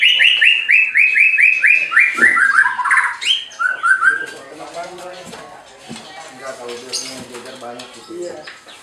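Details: White-rumped shama at a bird farm in Anyer, Banten, Indonesia, singing to provoke rival birds: a rapid run of descending whistled notes, about four per second, then warbled phrases fading into softer chatter.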